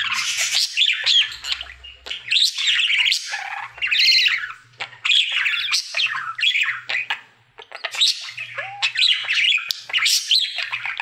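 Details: Pet budgerigar, one happy male in his daily singing routine: long stream of buzzy warbles, squeaks and sharp clicks, loud and nearly continuous, with a short lull around seven seconds.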